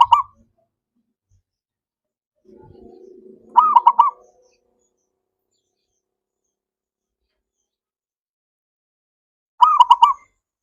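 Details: Zebra dove song used to prompt silent doves to sing: loud rolling phrases of rapid pulsed coos come about six seconds apart, with a brief low humming noise before the middle phrase.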